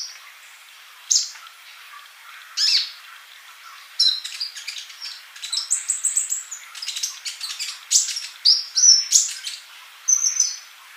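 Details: Male sunbird in vigorous song, used as a model for young birds that cannot sing yet: scattered sharp chirps building into a dense, chattering run of high notes and thin whistles.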